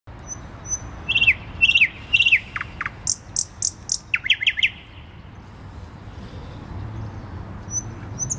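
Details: Thrush nightingale singing in central Warsaw, Poland, on 12 May 2020: loud phrases of repeated sliding notes, sharp clicks and a quick run of falling notes, with a low city hum underneath.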